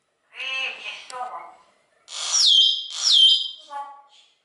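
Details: Common hill myna in a bird garden zoo at Upie, Drôme, France, a talkative bird and outstanding imitator: harmonic nasal notes, then two loud whistles sweeping down and levelling off, and a short harmonic note at the end.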